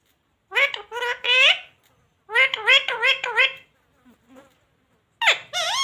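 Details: Talking parrot, said to say words like 'mummy', 'roti do', 'jay shree ram' and 'radhe radhe'. Three bursts of high, speech-like syllables with wavering, harmonic tones, separated by short pauses, with a faint squeak near the end.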